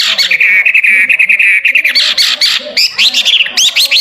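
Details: Loud, lively hwamei (wambi) song used as master audio for training songbirds: a fast trill of repeated notes, then climbing, looping whistled phrases, dense and energetic throughout.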